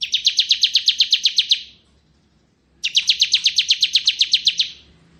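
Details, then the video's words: Two bursts of bar-winged prinia song, ciblek kristal ngebren style, kept as a magpie-robin tutor recording; each is a quick string of about fifteen crisp, buzzy notes, separated by roughly a second of quiet. "Suara Burung Ciblek Ngebren"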